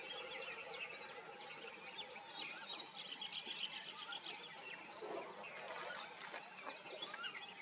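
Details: Indian or common myna song: a lively jumble of high chirps, squeaky whistles and short trills, packed closely with overlapping voices throughout, over a constant hissing backdrop.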